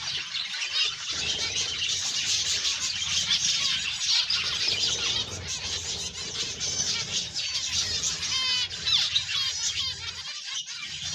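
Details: Zebra finches kept for breeding fill the air with a constant, overlapping chatter of high, nasal beeps and squeaks. Toward the end, quick rising and falling notes stand out. A short quieter gap comes near the start.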